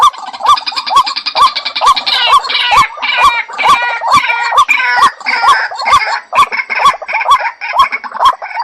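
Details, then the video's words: Lure call of the White-breasted waterhen: steady rising notes near two per second, backed throughout by a rich, buzzy chorus of overlapping harmonic calls that sounds like several birds together. "tiếng chim cuốc mồi"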